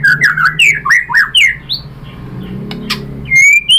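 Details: White-rumped shama lure song for provoking singing: a quick string of buzzy slurred notes, a brief lull, then a long thin rising whistle.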